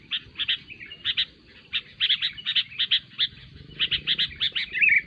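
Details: Sooty-headed bulbul singing noisily, used as a lure recording for trapping the species; short bright chirping notes in quick clusters, with brief pauses between bursts and a soft low rumble underneath.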